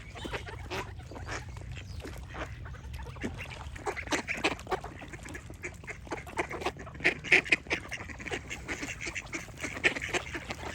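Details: Ducks quacking in a busy flock, harsh nasal quacks overlapping with dense clicking and splashing-like bursts, a few louder quacks standing out near the end.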